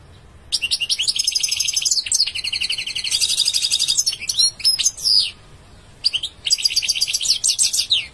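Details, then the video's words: European goldfinch in full song, long sequences of fast silvery twitters and buzzy rattling trills, a short pause, then another bright twittering phrase. "Beautiful goldfinch singing"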